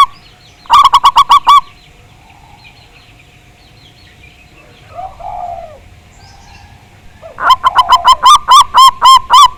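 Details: Local zebra dove lure track meant to prompt caged zebra doves to sing, big-voiced bird: a short volley of rapid, ringing coo notes, then a long quiet gap with soft low coos, then another longer run of staccato notes.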